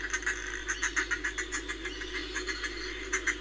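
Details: Northern fulmar near Reykjavik, 25 April 2024, giving a rapid, uneven run of harsh, guttural cackling notes, about three or four a second, over a steady low hum.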